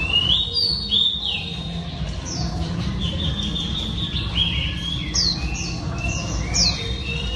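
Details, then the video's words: Female Oriental Magpie Robin giving scattered whistled and slurred notes over a steady low rumble of background noise, the phrases thin and spaced out across the recording. "Than mái hót kích trống Oriental Magpie Robin Female"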